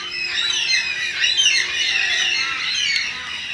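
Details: Several Carnaby's black-cockatoos in suburban Perth, southwest Western Australia, give loud, harmonic wailing calls that bend up and down and overlap continuously, with a faint low hum beneath.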